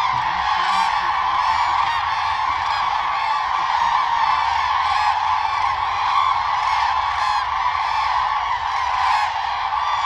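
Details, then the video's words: A mass of common cranes calling constantly as part of their courtship dance. Harsh honking notes overlap without a break, forming an even, crowded chorus from start to finish. "Common crane dance for mating | Crane bird sound"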